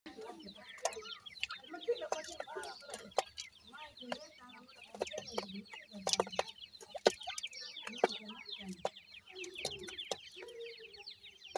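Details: Many Iranian francolin chicks (irani teetar) calling together: a dense chorus of short, high, downward-sliding peeps that overlap almost continuously, broken by sharp knocks and clicks.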